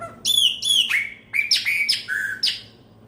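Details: Chopi blackbird, called pena branca, singing at the turn from the old year to the new: loud clear whistles, first level then sharply downslurred, in six phrases over three seconds, with a quiet background.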